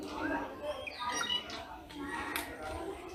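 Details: In Ranthambhore National Park, a rufous treepie gives a string of loud, fluty and slightly harsh notes, some rising, about one each second, over faint background chatter.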